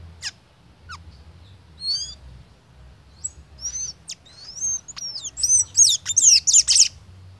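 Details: Blue-grey tanager singing a bright, high song of thin whistled notes and squeaky slurred phrases, starting sparse and growing into a fast, dense twittering burst near the end.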